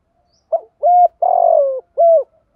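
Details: Spotted dove coo, male and female voices, played to stir captive birds that have long stopped singing: a short note, then a flat coo, a long wavering coo dropping in pitch and a final flat coo, over silence.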